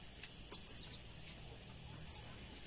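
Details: Two brief shrill high chirps of a blue-crowned hanging parrot, the first a quick double note, the second a slightly longer squeaky note, recorded as lure sound with little background.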